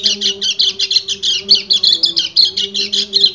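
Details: Fast, high, chattering song from a male white-eye calling a breeding-condition female, with quick repeated buzzy notes and a quiet low hum behind them.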